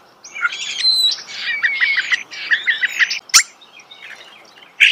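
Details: Starling in natural surroundings producing a busy chatter of rapid clicks, squeaks and short whistles, with a sharp click near the end.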